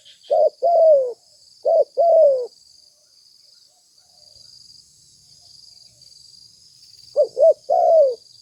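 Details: Spotted dove calling, used as a lure sound for catching birds: low hollow coos in two phrases, each a short note followed by a longer falling coo, with a quiet pause between phrases; faint steady high hiss throughout.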